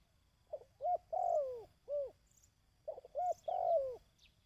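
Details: Cooing of a dove, played to train decoy birds. Each phrase is a brief soft note, a clipped coo, a long drawn coo falling in pitch, then a single rounded note. The pattern repeats after a short pause.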